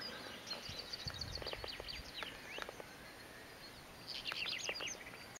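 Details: Male Black-eared wheatear (Oenanthe hispanica melanoleuca) calling at Potamia, 5 May 2015: quick, scratchy high chirps and short buzzy notes in dense bursts, several a second, over a light background hiss.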